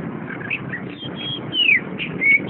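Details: Chestnut-capped thrush, a captive bird from a shop collection, with soft chatter followed by a long clear whistle slurring downward and a short level whistle, against low-pitched background hum.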